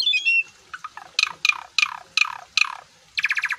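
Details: Asian pied starling in full song, puffing up: a whistled opening, then five harsh, downward-sweeping rasping squawks about every third of a second, ending in a rapid buzzy stuttering trill.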